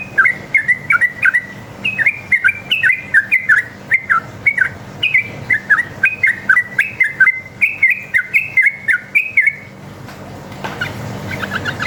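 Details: Long single-line 'ropel' song of a wild sooty-headed bulbul, used as a lure to draw replies: nearly ten seconds of continuous bubbly whistled notes, rising and falling in quick succession, ending in a noisy rustle.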